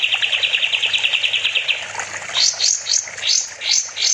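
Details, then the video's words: Kapas tembak bulbul singing vigorously on a master recording made for training other songbirds: a rapid buzzy trill of evenly repeated notes for nearly two seconds, then a series of sharp rising whistled chirps, steady low hum behind. "Kapas tembak gacor || Masteran burung"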